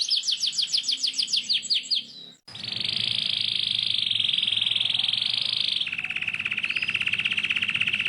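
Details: Canary singing a long rolling song meant for teaching young canaries: a run of bright descending notes, then a brief break, then sustained fast buzzy trills held for seconds, dropping to a lower pitch near the end.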